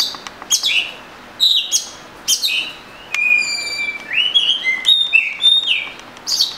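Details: Oriental magpie-robin singing a varied mix of short harsh chirps and long pure whistles, some rising and some steady, delivered in a lively continuous flow.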